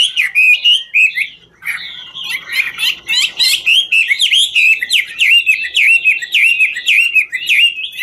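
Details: Chinese hwamei singing and dancing, 'ngũ trường' style song: brisk series of loud whistled, wavering slurred notes with harsh clicking overtones, a short pause after the first second, then a steady run of repeated phrases.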